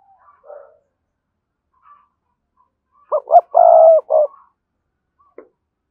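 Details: Spotted dove kept as a decoy bird with a strong, lively voice, giving one cooing phrase: two short notes then a long sustained coo and a final short note, with faint soft calls before.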